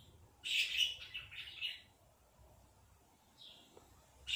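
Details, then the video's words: Robin tweeting in a backyard on a June 2024 evening. A quick cluster of several sharp chirps, a pause, then two more separated chirps, with light background hiss. "A Robin Hanging Out in the Backyard and Tweeted During the Evening of June 2024"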